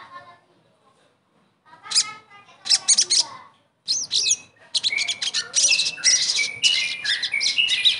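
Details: Sogon song used to lure a non-singing bird into song again: scattered high scratchy phrases that build into a continuous fast stream of chattering and twittering notes with clear whistled slurs mixed in.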